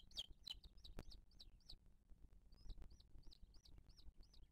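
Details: At a booted eagle nest, 2023, with the mother feeding her chick, a few sharp high notes open a run of soft, arched high whistles in loose series, with a thud near the start.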